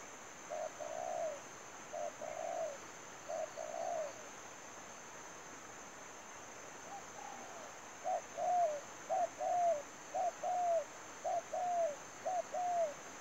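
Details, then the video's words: Spotted dove used as a trapping lure, giving a run of short paired coos, first three spaced groups then a quicker series of rising-falling notes, roughly once per second, over constant high-pitched hiss. "bẫy chim cu gáy. mồi nỡ rùa bay ghi bàn"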